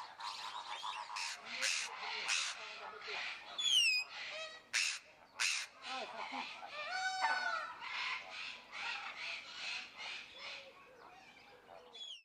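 White-throated Magpie-Jay giving a rapid run of harsh, rasping squawks mixed with a few sliding whistled notes and a liquid rattle, loud and irregular throughout.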